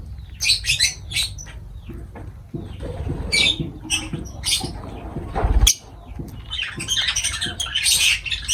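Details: Feeding lovebirds give rapid high squeaks and chirps, some falling in pitch, in irregular bursts over background pattering and a loud knock midway.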